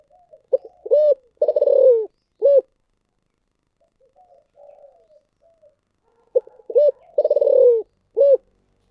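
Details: Spotted dove in thổ sấm voice gives two full deep coo phrases about six seconds apart. Each phrase has short low notes, a hollow coo, a long rolling descending coo and a closing note, with quieter murmuring between.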